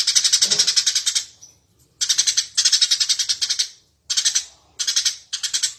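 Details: Energetic Eurasian tree sparrow song, kept as a teaching recording for songbirds: bursts of rapid, buzzy high chirps, each run about a second long, broken by brief silences, with a soft low sound in the opening burst.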